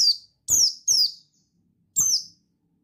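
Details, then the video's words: Male buxtoni white-eye, its song used to rouse other birds: four bright, shrill notes sliding downward, three in quick succession and one after a short pause. "Suara Bikin Pleci Ngalas Emosi Memancing Bunyi Pleci Bustomi Gacor Ampuh"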